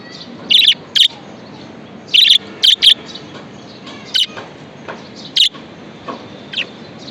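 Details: Pet budgerigar giving short, sharp, bright chirps, single and in quick pairs and triplets, about ten notes spread over seven seconds with quiet pauses between, over a low steady background hiss.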